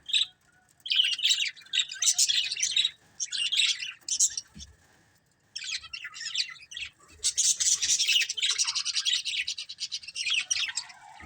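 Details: Several colourful budgerigars of one family chirp in loud bursts of rapid, twittering, high warbling chatter separated by short quiet gaps, the last burst long and continuous.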